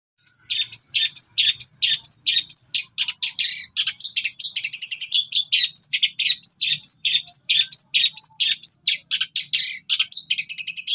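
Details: Long-tailed shrike in lively full song packed with rapid bursts and mimicked calls, used as a tutor recording for other shrikes: dense high chirps and buzzy notes repeated about twice a second, steady throughout.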